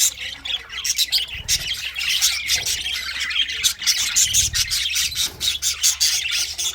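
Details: Singing English budgies give rapid harsh squawks and sharp chirps in repeated bursts, the high chatter steady throughout, with low thudding sounds twice in the background.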